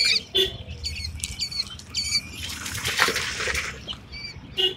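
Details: Quail chicks eight days old peeping in high, thin repeated chirps, several birds calling together, with rustling and scratching noise building in the middle and low background hum.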